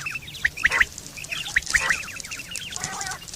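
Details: Quail calling in September 2023, a sound described as used for mating and hunting: short piercing whistled notes, often paired, repeated at intervals over a busy background of softer trilling and chattering calls.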